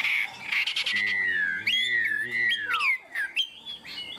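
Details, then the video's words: Tame caged Chinese hwamei singing well in a high-pitched style: loud, clear whistled phrases that slide and waver up and down, with quick upward flicks and a falling swoop near the end, over a low steady hum. "Chim họa mi thuần, hót tốt, hót cao cầu"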